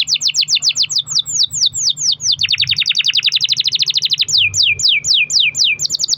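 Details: Canary singing long trilled rolls intended to coax other canaries into song: dense swooping high notes, a very rapid rattling roll in the middle, then slower paired whistles.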